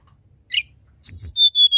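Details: Tledekan gunung, a hill blue flycatcher, used as a therapy recording for birds: a brief high chirp, then a loud two-part squeak followed by two sustained high whistled notes with overtones.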